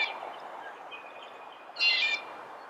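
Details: Red-bellied woodpecker giving a single rough, rolling churr near the end, after a quiet stretch with faint distant bird notes.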